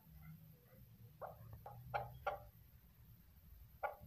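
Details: A female chukar partridge gives five short, husky clucking notes at uneven intervals, mostly in a quick run, over a steady low hum.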